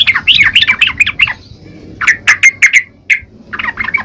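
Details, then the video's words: Yellow-vented bulbul song: bright, bubbly phrases of quick rising and falling whistled notes, a burst of sharp chirps mid-clip, then another liquid warbling phrase. "Burung trucukan gacor..!!"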